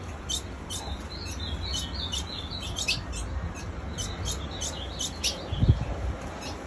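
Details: A female ultramarine grosbeak chips nonstop. Brief, bright, high-pitched notes repeat roughly every half second, some doubled, over a low rumbling background with one soft low thump near the end.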